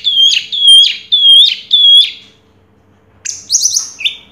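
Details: Orange-headed thrush, champion of a 2022 singing contest, repeating four clear whistled notes about twice a second, then after a short pause a high chattering, twittering phrase.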